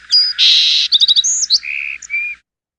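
A Song Sparrow sings a quick, varied phrase: a clear opening note, a buzzy burst, a rapid run of bright notes, then lower trilled endings.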